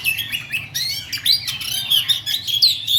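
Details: Caged songbird kept by Indonesian song-bird hobbyists, singing a fast, dense 'ngerol' song: rapid chattering and twittering phrases with quick rising and falling whistles packed closely together, no pauses, faint low hum underneath.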